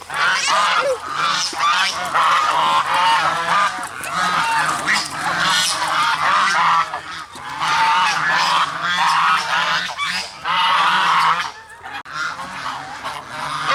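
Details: A sustained noisy chorus of goose honks from a flock kept with black swans, harsh repeated calls in long bursts broken by brief lulls.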